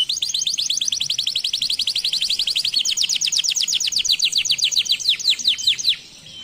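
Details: Canary singing a fast, even trill of rapid high notes that slows slightly and changes texture midway, ending in a few separated strokes.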